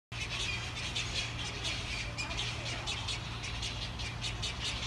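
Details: Egrets nesting in cedar trees beside apartment blocks in Dongin-dong, Daegu, South Korea, 2016; a colony relocated after nest trees were cut following residents' complaints about noise. Dense overlapping harsh squawks and chatter repeat throughout over steady low traffic hum.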